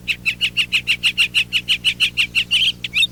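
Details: Northern mockingbird singing from a tree, a long series of loud varied phrases repeated several times: here one short chirping note repeated rapidly about fifteen times over two and a half seconds, then a switch to a scratchier, buzzier phrase.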